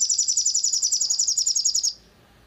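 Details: Crimson sunbird bait sound for provoking song: a steady, shrill, very high trill of some eighteen rapid pulses over two seconds, cutting off cleanly into silence.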